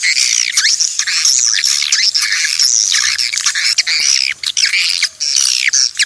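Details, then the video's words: A swiftlet flock calling, from a clean natural recording meant to attract swiftlets: arching, curved chirps and harsh squawky twitters from many birds, with a few short gaps near the end. "SUARA PANGGIL BURUNG WALET ASLI DARI ALAM/suara bersih"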